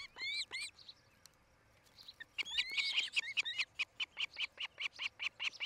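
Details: Osprey on its nest near Charlo, Montana, nest camera, 8 July 2018, late afternoon; two whistled notes, a pause, then a long rapid series of short piercing cheeps repeated more than twice a second, slowly steadying in rhythm.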